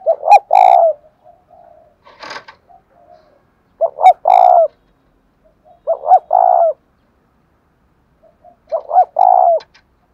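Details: Cooing spotted dove in the 'giọng đồng thổ' manner, four repeated low phrases of quick paired notes ending in a sustained coo, plus one brief click between the first two phrases.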